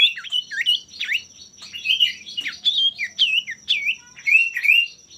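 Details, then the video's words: Male common iora singing vigorously, a song to provoke rivals: a rapid run of bright whistled notes, each dropping then rising in a hooked shape, repeated about twice a second with no pauses. "pancingan burung sirtu/cipoh gacor jantan bikin lawan ikutan gacor"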